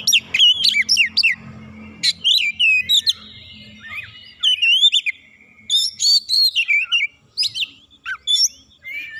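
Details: Provoked by a rival, a White-rumped shama delivers sweeping whistles and rapid chirps in bursts, with a low hum in the background early on and a quieter pause midway.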